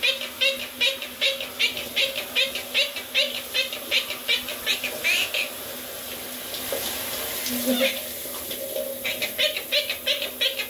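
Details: A pet Monk (Quaker) parakeet talking while having a shower, chattering in quick, scratchy bursts over the steady hiss of running water. It also says "I'm a good boy" and "I love you" around this clip.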